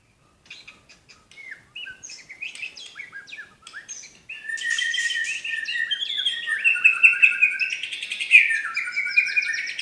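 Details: White-rumped shama from Medan performing 'tembakan' song. It opens with soft, spaced chips and short whistles, then swells into a loud, continuous stream of rich warbled and trilled whistles.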